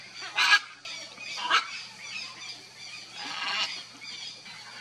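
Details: A nesting pair of red-and-green macaws (Ara chloropterus) at their nest give harsh, raspy squawks: two short loud bursts about a second apart, then a longer grating call, over a faint background hum.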